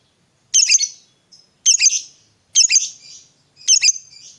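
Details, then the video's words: Four harsh, buzzy squawks from a fighter lovebird, spaced about a second apart, each trailing into a softer rasp. They are played to stimulate a silent lovebird into calling. "Pancingan Suara Lovebird Gacor Fighter ini Aja BOS, dijamin LANGSUNG NYAUT"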